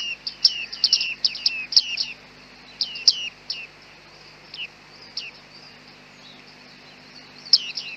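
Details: Bearded reedlings on a very foggy day, recorded with a Panasonic G9 and 100-400 lens; bright metallic 'ping' notes, each sliding sharply downward, given in quick clusters of several, then spaced singly, with a final burst at the end.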